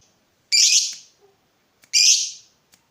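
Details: Lovebird kept to stir other lovebirds into singing gives two loud, harsh, high screeches about a second and a half apart, each fading off slowly.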